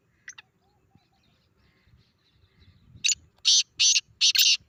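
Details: Grey francolin call played back to provoke a reaction from a pet francolin. A brief chirp and quiet murmurs lead into four loud, harsh, rasping bursts in quick succession.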